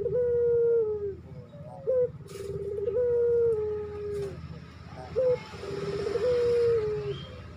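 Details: Barbary dove in breeding condition calling to a female repeats a short, sharp upswept note and then a sustained, slightly wavering coo trailing downward, three times, over a continuous low mechanical drone.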